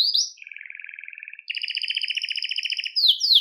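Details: Belgian canary song for stimulating males and bringing females into breeding condition; a rising slur, a soft low buzzy trill, then a louder rapid rolling trill and closing sweeping notes.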